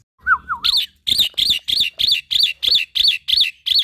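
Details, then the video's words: Young black-winged myna singing as a tutor for other mynas: a low wavering whistle, then about ten identical bright, warbled notes repeated roughly three times per second at an even pace. "Masteran Burung Jalak Putih Full Isian - Jalak Putih Muda GAcor Untuk Semua Jenis Jalak"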